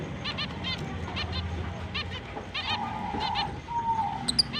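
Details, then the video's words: Finches beginning their mating season on October 29, 2023, giving repeated paired nasal chirps with stacked harmonics about every half second, over a low rumbling background with a drawn-out steady tone near the end. "Finch is breeding start Mating Season, Happy chirping sound"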